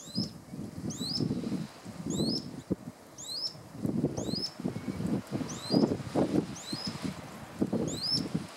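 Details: Rock earthcreeper (Ochetorhynchus andaecola) at Villazón, Potosí, Bolivia, giving thin, high, sharply slurred notes, often in pairs, repeated every second or so over loud low rustling and wind.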